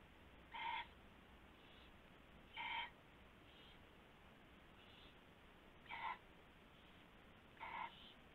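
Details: Owl calling in the dark early on February 19, 2016, as rabbit prey changes hands; four short harsh calls at uneven gaps of roughly two seconds, softer echoes between, over steady hum.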